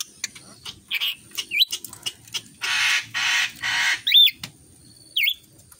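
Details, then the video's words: Chatty tame rainbow lorikeet kept as a free-flying pet, said to imitate human voices in a mumbling way and speak its own name: ticking clicks, short rising whistles, three long rasping hiss-like bursts, then hooked whistled notes; a person greets it beforehand. "Burung nuri pelangi gacor bisa ngomong nyebut namanya sendiri"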